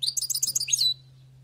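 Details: A trapped wild European goldfinch gives one brief, quick run of jingling high twitter notes that ends abruptly, followed by a low steady hum.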